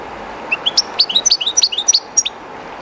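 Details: European goldfinch, one of the keeper's own birds, singing beside the flowing Río Jerte, somewhat shy in the unfamiliar spot; a quick run of bright, tinkling chirps that rise and fall over a steady watery rush.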